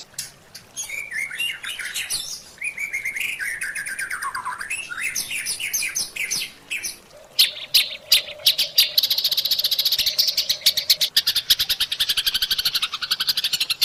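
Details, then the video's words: White-rumped shama song: rich, varied whistled phrases with sliding notes, then rapid dry rattling chatter and fast high trills; other birds may be mixed in. "White Rumped Shama Song. Sound, Voice, Chirp."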